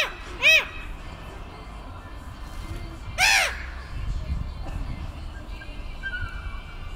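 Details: Black-headed gull on Kotlin Island, recorded 18 June 2018: two loud, harsh calls about three seconds apart, each rising and falling, over a steady low rumble of background noise.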